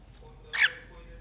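A cockatiel gives one short, harsh, scratchy squawk lasting a fraction of a second, with quiet room hum before and after.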